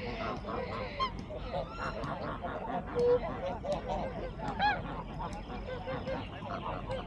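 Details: Geese defending their pond territory against an intruding black swan, flapping and honking in protest; scattered nasal honks and squawks come at an uneven pace over a busy, noisy background.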